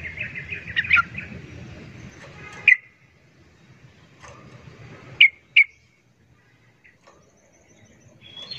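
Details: Agitated sooty-headed bulbuls in a noisy fight with a wild bird give scattered sharp chirps and short slurred notes, some loud and clipped, separated by quiet gaps.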